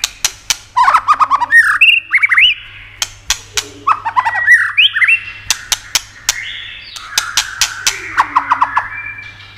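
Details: Stimulating song of a White-rumped shama with 'tạch' clicks: dry clicks, then quick slurred whistled phrases and a rapid descending trill, more clicks, and a final buzzy rattle of notes, with a constant background hum.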